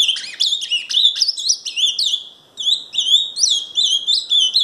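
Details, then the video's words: Paraná ultramarine grosbeak delivering two hurried warbled phrases of looping whistled notes separated by a short silence, clear and loud, nothing else audible. "Azulão Paraná"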